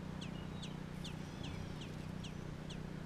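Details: Baby American robins in Georgia calling: thin, high chirps sliding downward, repeated about twice a second, over a loud steady low hum.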